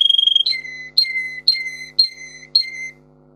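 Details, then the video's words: Russian singer canary in tutor song for other canaries: a short fast trill gives way to five slow, clear whistles, each dropping in pitch and spaced about half a second apart. "Russian singer canary singing"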